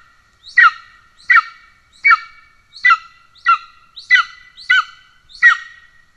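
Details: At an Estonian golden eagle nest on 17 July 2024, with the male bringing a pigeon to an already fed young: a steady series of eight shrill, falling, ringing notes spaced under a second apart, with nothing else audible.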